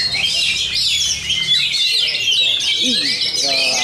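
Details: Contest Oriental magpie-robin (kacer) in Bogor, Indonesia, a prize-winning bird singing aggressively at full volume; fast, sweeping whistles and buzzy trills packed densely, with faint human voices low in the background.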